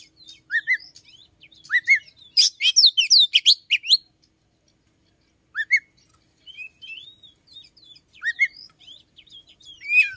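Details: Oriental magpie-robin singing in the morning: short rising whistles, a loud rapid cascade of sharp chirps, then sparse thin whistles and a final bright slur.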